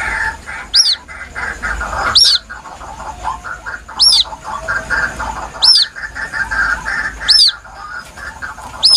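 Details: White-breasted waterhen chick calling plaintively, used as a lure: six high, sharp, falling peeps about every one and a half seconds, separated by gaps of softer mid-pitched chatter.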